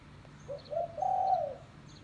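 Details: One phrase from a spotted dove (tekukur) used as a dove lure: a short coo, a second slightly longer coo, then a long steady low coo lasting about half a second.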